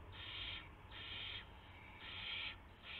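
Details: Owl at the nest at 1:00 AM on March 24, 2016, bringing a gopher as prey, recorded by a live nest camera. Four harsh, hissing screeches, each about half a second long, repeat steadily over three seconds against a low hum.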